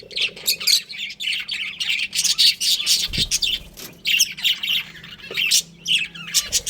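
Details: Breeding pair of pet budgies keeps up a lively stream of harsh chirps and squawky warbles in quick bursts, high and buzzy, with brief pauses and a steady low hum behind.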